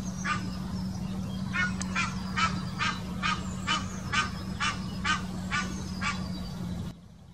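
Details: Egyptian goose mating call, recorded in the Wittlich Depression, Germany, in 2018: a steady series of hoarse, nasal honks, roughly two per second, over a constant low hum.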